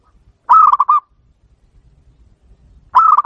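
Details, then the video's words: Zebra dove, a local perkutut used as a lure to draw an answer, giving two short cooing phrases, each a soft rolling coo broken into quick throbbing pulses, separated by about two seconds of silence. "pancingan perkutut manggung langsung nyaut"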